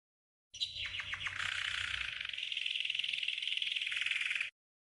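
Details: Green canary training song intended for learning birds: a few quick descending chips leading into a steady four-second fast rolling trill, bright and even.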